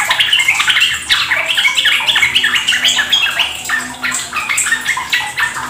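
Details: Fast, jumbled ropel-style chorus of Yellow-vented Bulbuls, recorded as a lure for caged birds: many short warbled and chirped phrases overlap with barely a pause between them.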